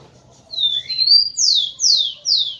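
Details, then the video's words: Rufous-collared sparrow (tico-tico) singing to stimulate females: two drawn-out, slightly rising whistles, then three loud, clear whistles sliding downward, spaced about half a second apart, against a quiet background. "ESQUENTE seu TICO-TICO no Máximo e ESTIMULE suas FÊMEAS a aprontar!"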